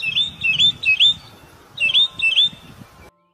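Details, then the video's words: A mockingbird, a species in which both sexes sing and imitate, sings three quick, bright chirped notes, pauses, then repeats two more of the same phrase over a faint low rumble. "both male and female Mockingbirds sing and are known for being exceptional imitators"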